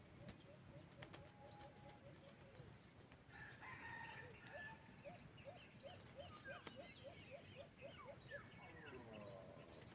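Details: White-eared brown dove (alimokon) heard during a wild dove hunt with a cage trap: a series of low hollow hoots, about three a second, given twice and faint beneath a busy chorus of other birds.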